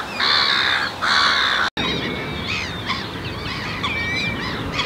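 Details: Black-tailed godwits (Limosa limosa islandica) at Marshside RSPB Reserve, Southport, Lancashire, 19 June 2014: two loud, harsh, nasal calls, then a busy flock chattering with thin, rapid, overlapping calls.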